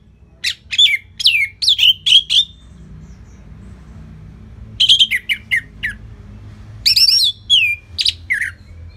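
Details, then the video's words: Anis merah, the orange-headed thrush, in steady song meant to draw out and tutor other birds. Sharp, high whistled notes with downward slurs come in three clusters broken by short silences. "Dipancing Dengan Kicauan ANIS MERAH Gacor Selow"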